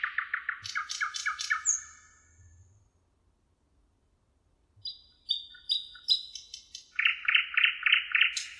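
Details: Thrush nightingale singing by the Emajõgi river in Tartu, Estonia, on 1 June 2018: rapid repeated clicking notes in fast series, a pause, then sharp high whistles and a loud rattling burst of repeated notes.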